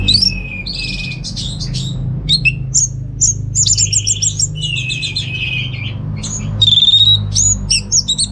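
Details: Orange-headed thrush, a contest bird kept in a cage in Singaraja, North Bali, delivering bright whistled phrases, buzzy trills and a pure rising whistle near the end, with a low humming background throughout.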